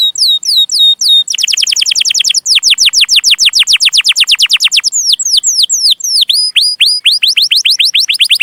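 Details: Chatty canary singing a long chirping song for tutoring young canaries: hooked whistles and ticks, then a long rapid roll of falling sweeps, then varied looping notes, all bright and clear.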